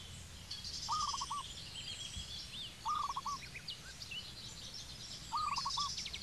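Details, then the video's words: Zebra dove in Cambodia giving three short bursts of quick, staccato cooing notes, roughly two seconds apart. Thin high chirps and trills from other small birds run through the background. "Zebra Dove Bird call"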